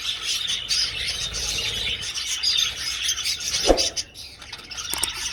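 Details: Budgerigars flying in an old aviary chatter with high twittering chirps, broken by a dull knock near the middle, after which the calling drops softer.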